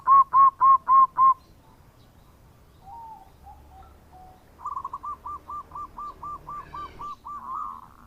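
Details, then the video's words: A local zebra dove sings the bekur coo meant to draw in other birds: five loud ringing hoots in quick succession, faint scattered notes, then a long even string of about a dozen softer clipped coos. "Perkutut Lokal Gacor Suara Bekur Untuk Pancingan"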